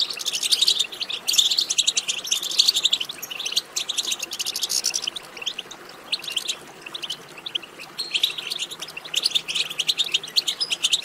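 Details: European goldfinch twittering meant to get goldfinches singing: long runs of rapid, sparkling chirps and trills in several bursts, a quieter gap near the middle, then another dense run.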